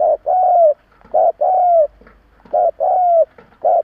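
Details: Spotted dove, a decoy kept by a bird keeper to provoke other doves, gives short and drawn-out low coos in pairs, each long note sliding slightly downward, with a pause midway.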